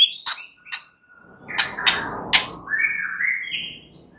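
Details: White-rumped shama song used at night to stimulate another bird into full singing: scattered sharp clicks and high whistled notes, then a rough buzzy phrase sliding into rising whistled notes, with a faint background hiss.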